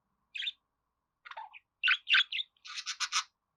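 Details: Budgerigar chatter: an isolated squeaky chirp, a few mixed scratchy notes, then loud buzzy chirps and a fast, rattling series of harsh pulses at the end.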